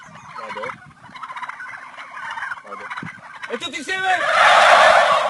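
A group of turkeys gobbles together in rapid, rattling bursts that swell into one loud, chorus-like outburst at the end.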